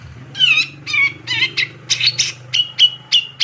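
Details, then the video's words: Male grey-cheeked bulbul in full, energetic song: a rapid run of harsh, buzzy notes followed by short sharp whistled notes, about two per second, repeated over a low, steady background hum. "Pancingan Cucak Jenggot Gacor Ngegass Emosian Nembak Rapat"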